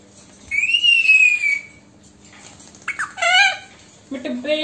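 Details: Female Alexandrine parrot, a pet talking bird indoors, speaking Hindi and saying "Mitthu beta": a long wavering whistle, then a burst of quick speech-like syllables, and a final short voiced phrase.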